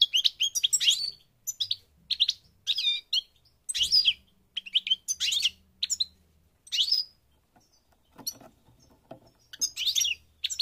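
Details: European goldfinch of the parva form from Morocco, North Africa, singing in bursts of bright twittering notes with liquid up-and-down slurs, broken by short pauses, with a faint low hum underneath.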